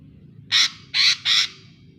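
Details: A lure recording of a lesser green leafbird for a mute bird that rarely sings: three loud, rasping, buzzy notes with short gaps between them.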